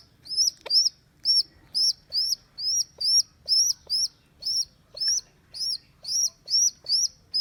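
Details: Squeaks of a young rock pigeon rescued after its mother abandoned it: sharp, high-pitched, arched notes repeated quickly and evenly, roughly two each second, over a quiet low rumble.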